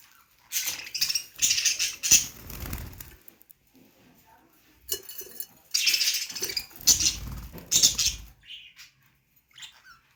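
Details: Budgerigars in happy chirping: bright, scratchy bursts of chirps and chatter with a few sharp squeaks.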